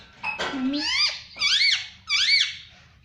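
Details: Talking parrot saying mummy indoors; three loud, arched, squeaky syllables that rise then fall, each about half a second apart after a brief lower note.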